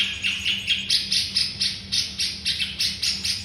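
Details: White-rumped shama song used as a master recording for training songbirds: a quick run of bright, harsh chirps, about three per second, each a short sweeping burst, over a faint steady low hum.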